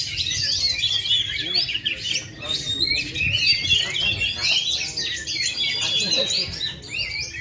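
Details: Full-power singing from an Indonesian kacer, an oriental magpie-robin that failed to moult for two and a half years. The song is a continuous run of sharp, varied whistled phrases and chattering trills, with a low murmur of background noise.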